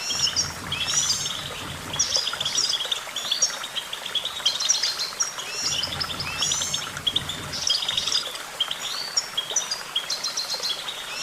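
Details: Lively Goldfinch twittering: dense runs of sharp, high tinkling notes and brief buzzy phrases repeated in bursts every second or two, with light background noise underneath.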